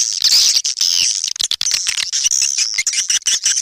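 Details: Swiftlets calling, used to attract swiftlets: a thin, shrill, continuous twittering with scratchy chirps and fast clicking, high and sibilant throughout.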